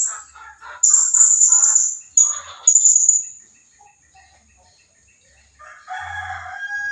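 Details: Blue-crowned hanging parrot call played as a lure to attract rivals: thin, very high drawn-out squeaky whistles lasting around a second each, preceded by softer mid-pitched chattering and followed by a brief lower warbling note.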